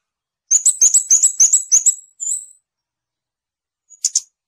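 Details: Scarlet-backed flowerpecker song: a rapid burst of about eight very high, thin ticking notes in one and a half seconds, then a drawn-out high note and, after a short pause, two brief sharp high notes.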